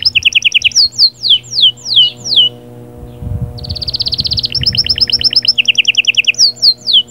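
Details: Canary song used to stimulate the female: loud down-slurred whistled notes repeated about twice a second, a pause, then a long rapid rolling trill and more repeated dual-pitch notes.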